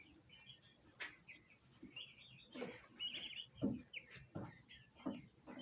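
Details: High-pitched chirping from turkey poults: a loose run of brief, bright peeps, some slurred together, over soft rustling and knocking sounds.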